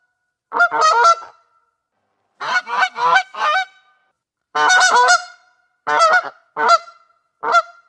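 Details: Goose honking in loud, nasal, harmonic bursts, single honks and quick runs of two to four, repeated about six times with short silent gaps between.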